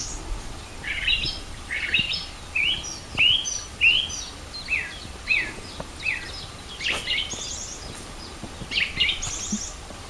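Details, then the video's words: Spring bird song at Rogozyanske reservoir, Kharkiv region, 4 April 2010: short upslurred chirps repeated roughly every second, loud then fading, with a few higher buzzy notes and faint clicks in a quiet background. "Пение птиц"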